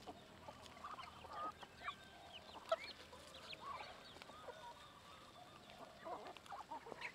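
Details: Chickens being fed, a flock clucking busily: short, abrupt mid-pitched clucks and chirpy notes overlapping irregularly, with a few louder squawks standing out.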